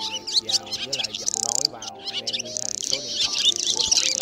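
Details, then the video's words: Swallows (black swallows and white-bellied swallows) in a recording used as a trap lure to call the flock in to roost: a dense chorus of rapid, high chirps and squeaky notes over steady low humming tones. "Tiếng ÉN Đen Bụng Trắng Gọi Bầy Về Ngủ"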